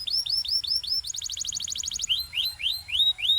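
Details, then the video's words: Belgian-style canary song: five arched whistled notes, a rapid high staccato trill, then slower downward-curving whistles, all bright and clear. "This Canary’s Melody Makes All Birds Join In – Pure Belgian Singing"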